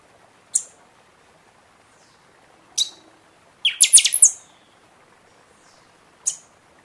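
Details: Buffy-fronted seedeater in full song during the season, used to fire up other birds after moult: single sharp high chips separated by pauses of about two seconds, with a rapid burst of shrill notes in the middle.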